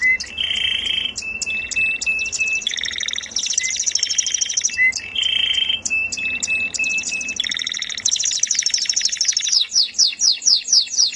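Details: Canary in melodious song, cycling through rolling trills, flat whistled notes and buzzy bursts, the phrase sequence repeating about every four seconds, ending with fast downward-sweeping notes.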